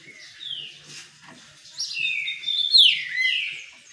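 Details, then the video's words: Green-winged saltator sings in its cage during a sunbath, starting with a soft whistle and building to loud, clear slurred whistles, one sharply descending then a long falling note. "trinca ferro cobra no banho de sol"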